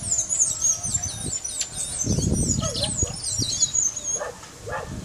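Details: Singing brown mustache finch from Guyana: a steady series of high, looping, slurred notes repeated rapidly throughout, with some lower, muffled thumps and bursts in the middle.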